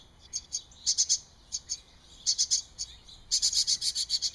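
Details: Hungry baby wrens recorded on 13 June 2011, giving high, thin chirps in quick bursts of three or four, separated by short pauses. The bursts grow into a longer rapid run near the end.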